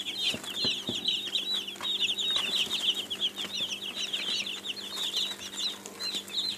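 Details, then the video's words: A brood of baby chicks cheeping nonstop, as they do when hungry or wanting attention: many overlapping shrill, short peeps forming a steady high chatter with a few faint knocks. "Baby Chicks sound effects"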